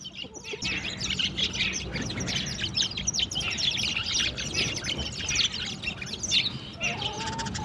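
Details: Sparrows in the morning, playing with and drinking water, chirp as a busy chorus of short, high, overlapping tweets that run without a break, with soft background noise.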